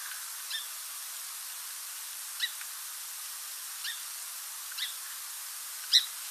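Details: A Song Sparrow in Texas, a non-breeding winter visitor, gives its characteristic short call, typically from a bushy area: five short, high chip notes at uneven gaps about a second apart, the last loudest, over a faint hiss.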